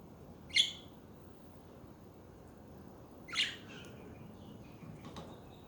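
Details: Pet budgies chattering: two sharp, harsh chirps about three seconds apart over a quiet, faintly hissing background, with a softer third note near the end.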